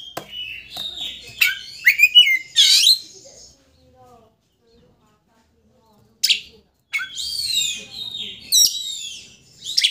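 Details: Oriental magpie-robin song played to rouse a rival's aggression and make it fan its tail: quick chattering and slurred whistled notes, then a silent gap of about three seconds before another burst of varied phrases.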